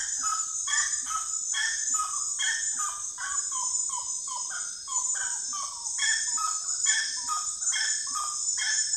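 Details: Common gallinule calling: short clucking notes near one pitch, some falling, repeated in uneven bursts about once a second, over a steady high insect drone.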